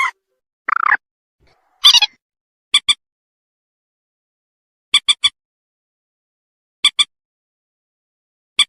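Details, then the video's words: Slaty-breasted rail calling to its companions, a recording used as a lure for netting birds. Harsh buzzy squawks open, then sharp dry clicking notes in pairs and triplets recur every one to two seconds against a silent background. "Suara burung mandar batu memanggil kawannya"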